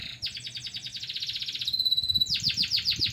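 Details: Local canary in masteran tutor song: a fast rolling trill of repeated downswept notes, a sustained thin high whistle, then another quick rolling series, with a quiet low background murmur.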